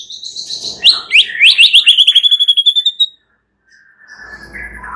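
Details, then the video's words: Shama song played at night as a lure to stimulate singing: a quick accelerating trill of about twenty sharp high repeated notes, then a brief silence and faint soft whistles. "Pancingan murai batu MALAM HARI agar GACOR dan NGEPLONG"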